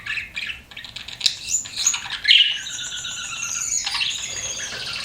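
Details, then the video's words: Pet budgerigars chirping, mixed scratchy notes and a clear rising whistled squeak, followed by a longer quieter warbling twitter with some rustling. "CUTE PET BUDGIES CHIRPING"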